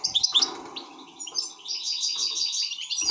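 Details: Excited European goldfinch in a short burst of twittering song: a few scratchy notes, then a rapid rippling trill of bright chirps, over a faint low hum.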